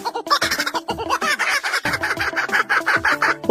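A kookaburra gives a loud, raucous laughing chorus of rapid, cackling notes that rise and tumble, over quiet background music.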